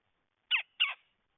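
Red-headed woodpecker giving two harsh, rasping calls about a third of a second apart, each a short scratchy burst. Otherwise quiet.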